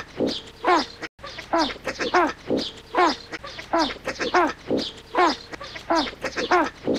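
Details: Great white pelicans (Pelecanus onocrotalus) give hoarse, grunting, pig-like calls in overlapping bursts about every second, several birds calling together.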